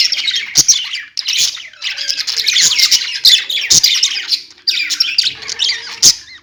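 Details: Chattering pet budgies produce a steady stream of high, scratchy warbles and chirps, with several abrupt clicking knocks and a brief pause near the middle.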